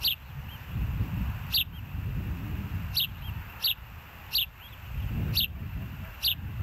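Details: Osprey at its nest at Hellgate, filmed by a live nest camera on 06/09/2024 at 13:17: sharp, piercing high chirps given singly, seven in quick series about a second apart, over a steady low rumble of wind and background noise.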